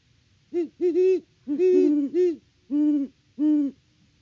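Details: Great horned owl pair hooting at the nest on a farm in Peabody, Kansas, October 2023, live cam recording: a rhythmic run of six low hoots, two voices at slightly different pitches, some notes overlapping.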